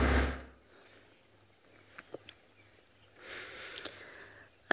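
Indoor room noise: a loud knock at the start, then a low hum, a few soft clicks and a breathy rustle near the end, with no animal voice.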